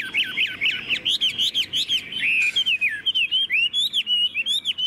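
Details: Captive, tame Chinese hwamei in full song, a fast run of varied bright whistles, twisting up and down, delivered in short bursts with brief pauses, almost continuous throughout.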